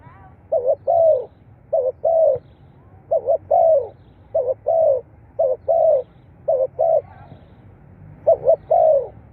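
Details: Spotted dove coos for stimulating captive birds: repeated two-part phrases, a stuttered double note followed by a sustained downward coo. Eight phrases run in a steady, unhurried series.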